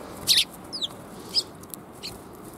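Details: Bold sparrows greeting someone on the way, 27 April 2021: a few loud, sharp, separate chirps and one quick down-slurred note, over a quiet background murmur.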